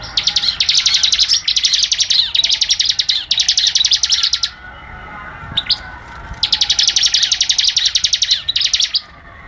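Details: A bar-winged prinia delivers long runs of rapid, high, buzzy ticking notes with short breaks between them, then a pause and another long run. The recording is used as training material for cage birds.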